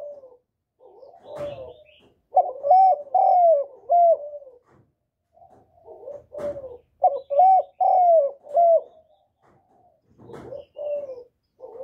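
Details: Spotted dove cooing continuously as a lure for wild doves, repeated mellow multi-note phrases of rolling, slightly descending coos, with short pauses between bouts and a soft lead-in note before each phrase.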